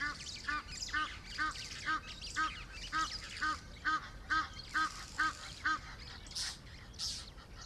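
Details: African hawk-eagle in Laikipia County, Kenya, giving a steady series of about fourteen clear, fluty, slightly nasal notes, roughly two per second, over a rushing outdoor background with a few higher bird chirps at the end.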